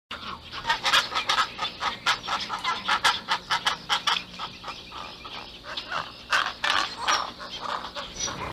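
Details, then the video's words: Pelican chick calling: harsh, raspy squawks repeated rapidly, about two to three per second, in uneven bursts with short pauses, broad and noisy in tone. "Pelican Chick"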